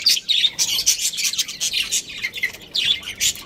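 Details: Lively chatter from a budgerigar breeding pair: bright high chirps and squeaky twitters tumbling out in quick succession without a break.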